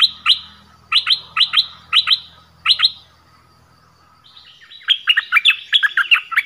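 An orange-headed thrush gives six sharp, bright double notes at a steady pace, then a short pause and a rapid, varied warbling phrase of rich whistles.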